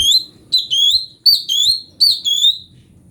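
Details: Cucak cungkok, the Brown-breasted Bulbul, used to train magpie-robins: clear whistled phrases, each a quick upslur followed by a wavering held whistle. The phrases repeat about every three-quarters of a second, in quiet surroundings.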